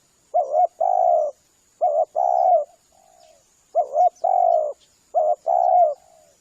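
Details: Spotted dove lure call meant to draw in spotted doves. A quick doubled note leads into a long, even coo, repeated four times at roughly one-and-a-half-second intervals in a quiet setting.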